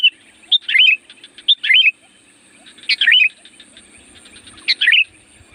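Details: Loud sooty-headed bulbul (kutilang gunung) song meant to call wild birds: four bubbly, tumbling whistled phrases in pairs, with faint ticking between them and a thin high tone throughout.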